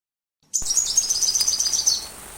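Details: Sunbird song recorded as a master track for teaching a white-rumped shama: after a half-second of silence, a dense run of very high, thin, twittering notes goes on without a break, with small sharp chips mixed in.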